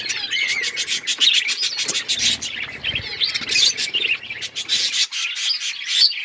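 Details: Budgerigars kept as pets keep up a busy, high twittering chorus of quick chirps, trills and short whistles, many birds calling at once throughout.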